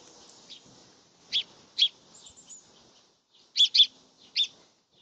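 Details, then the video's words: Chirping birds at a meal give short, piercing, high chirps, singly and in a quick pair, separated by near-silent gaps over a calm background. "nice birds noise while eating"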